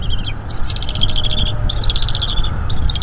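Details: Eaglet of a bald eagle calling as its mother feeds it at a camera-watched nest in northeast Florida, evening of 5 May 2021. Sharp rising note, then a fast stuttering chatter of high notes, repeated three times over a low hum.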